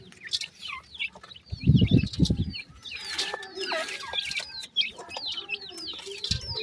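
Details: Young pheasant chicks at feeding time calling in a dense chorus of sharp, downward-sweeping chirps, with low thumping and handling noises between the calls.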